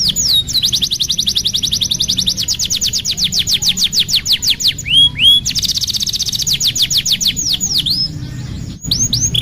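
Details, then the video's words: Canary song used as tutoring for young canaries learning to sing: fast rolling tours of sharp high downslurred whistles, broken by a few swooping slurred notes, then more quick repeated trills. "MASTERAN KENARI PAUD BELAJAR BUNYI | CANARY SINGING"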